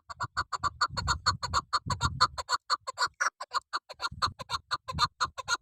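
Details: Hunting decoy chukar partridge, a female, delivering an unbroken run of fast, raspy chucking notes, about two a second, with low handling noise during the first half.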